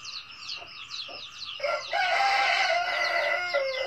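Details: Red junglefowl giving a 'cà lắm' style crow: a loud, harsh, drawn-out crow lasting about two seconds and ending on a lower note, after a steady high-pitched chirping chorus that continues underneath.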